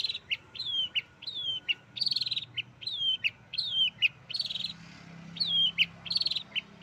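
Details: Long-tailed shrike (cendet) mimicking a canary, repeated clear whistled notes that slide downward, alternating with short rattling trills, each phrase roughly every half second, over a faint low hum.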